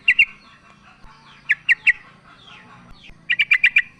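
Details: Calling female sooty-headed bulbul summoning a male, used as a lure for sluggish singers. Paired and tripled clipped chirps give way to a fast run of five notes, over a soft rumbling background.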